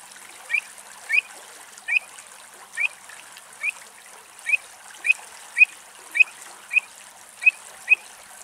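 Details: A pied avocet in Greece gives about a dozen short, clear 'kluit' notes, each a sharp upslurred yelp, spaced roughly every half second to second over faint background hiss.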